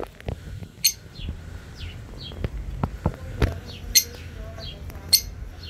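Grey parrot giving short, high, falling whistles mixed with sharp clicks and squeaks, a few each second, over a low background rumble.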